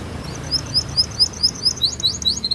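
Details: Canary song from a recording meant to prompt juvenile canaries to sing: soft, scattered high upward-flicked chirps and thin tweets, irregularly spaced, over faint low background noise.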